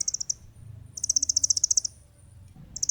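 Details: Olive-backed sunbird song meant for training and luring birds; high, rapid pulsed trills in short bursts over a low background hum.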